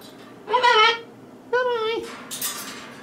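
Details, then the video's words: Young male pet cockatoo, about four years old, talking at bedtime as he settles on a perch stand beside the bed; two voiced, harmonic, speech-like utterances, the second slurring downward, then a fainter breathy sound. "Cocky speaks as hes getting ready for bed"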